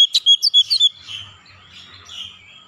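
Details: Oriental magpie-robin calling: a quick burst of about seven sharp, clear whistled notes in under a second, followed by quieter soft warbling and faint low hum.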